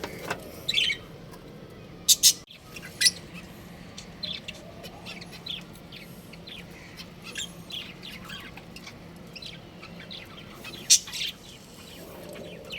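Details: Breeding pair of pet budgerigars giving scattered short, bright chirps, with a few louder sharp notes near the start and end over a steady low room hum.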